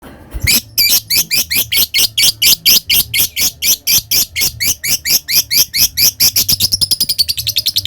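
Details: Lovebird in ngekek song, a long chatter meant to provoke rivals: a fast run of about thirty sharp, high chattering notes at roughly four per second, speeding up and softening into a thin trill at the end.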